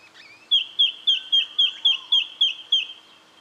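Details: Brown treecreeper recorded in Victoria, Australia, in October 2011: a rapid run of about ten sharp, high, slightly downslurred notes at steady pace, beginning after a short faint lead-in.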